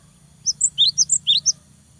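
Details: Energetic cinereous tit, sung to rouse rivals: a compact phrase of about seven sharp whistled notes alternating high and slightly lower, lasting roughly a second.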